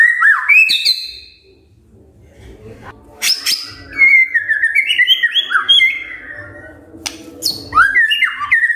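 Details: Early-morning magpie-robin song played to get other magpie-robins singing: clear whistled phrases sliding up and down, separated by short gaps and sharp clicks, with faint low background rumble.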